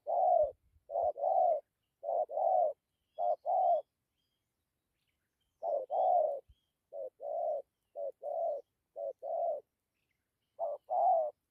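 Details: A decoy spotted dove repeats its gù coo with dặm phrasing. Low two-part hoots come in close pairs, break off for about two seconds, then resume as a steady series, with a few faint clicks.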